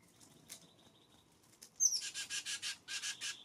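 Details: California scrub-jays feeding on seeds, nuts and worms at a mountain bird feeder in Descanso, San Diego County, in the early morning; harsh, raspy bursts repeated rapidly after a faint start, with fainter chirps.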